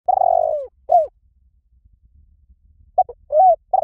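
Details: Spotted dove call used as a lure for trapping: a low, drawn-out descending coo followed by a short note, a pause, then a quick series of brief coos.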